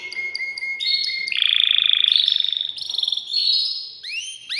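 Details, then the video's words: Excited male canary, caged, singing to stir a female into mating. A clear whistled note, then high rolling trills step up in pitch, finishing with quick rising chirps. "تغريد ذكر كناري هائج يريد تكسير القفص يحفز الأنثي لتزاوج"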